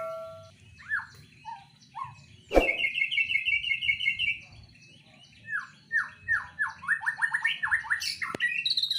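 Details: White-rumped shama in a breeding cage delivering a rich song: descending whistles, a sharp click, a long buzzy high trill, then a series of rapid descending slurred notes; a second click near the end.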